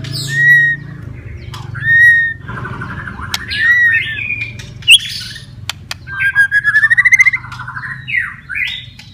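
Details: White-rumped shama, a kept bird, giving clear pure whistles spaced about every one and a half seconds, then a fast rattling trill and a rising buzzy series, over a steady low hum.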